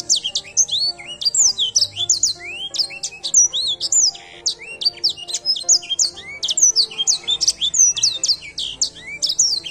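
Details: Song of a luxury Edelsänger competition bird: rapid, varied run of bright whistles, upward and downward slurs and chattering trills, sung nonstop at high pitch with a faint low hum beneath.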